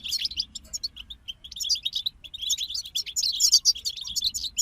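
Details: Group of European goldfinches in continuous song, a rapid liquid twittering of high chirps and buzzy notes that thickens toward the end.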